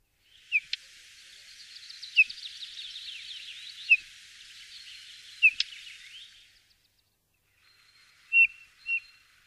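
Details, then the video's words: Eurasian bullfinch giving short, soft, downslurred piping notes about every one and a half to two seconds, with a faint, fast twittering from another bird behind them through most of the recording. "BULLFINCH ( Camachuelo común )"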